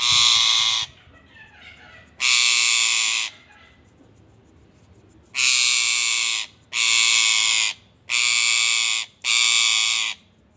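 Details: ['Indian ringneck parakeet repeating loud, coarse screeches, each about a second long; two spaced apart, then four in quick succession with short gaps.']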